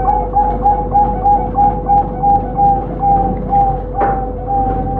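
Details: Prize-winning caged zebra dove from a Sidoarjo bird farm in Indonesia, valued for clear tone and accurate pauses, delivers a run of brief, bright coos at a steady quick rhythm, with a faint click midway and a constant background hum.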